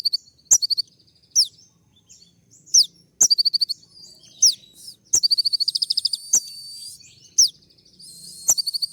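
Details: Kolibri ninja sunbird, a gacor singer courting a female, giving sharp high chirps and downslurred squeaks, then a long fast stuttering trill over a thin steady hiss, with faint low rumble beneath.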